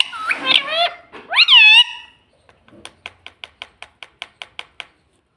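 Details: Household parrot that says 'mummy papa': several short, speech-like harmonic syllables that rise and fall over two seconds, then a steady run of about fifteen sharp clicks, roughly five per second.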